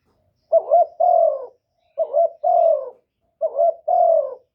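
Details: Captive decoy spotted dove luring wild doves, recorded cleanly. Three evenly spaced phrases come roughly every 1.5 seconds, each a wavering short note and then a longer, gently falling coo, with silence between them.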